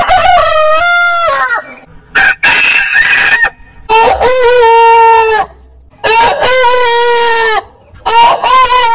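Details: Roosters crowing in a compilation of many heritage chicken breeds: long harmonic crows with a sustained middle and falling end, several in turn separated by short gaps, with one noisier, harsher crow.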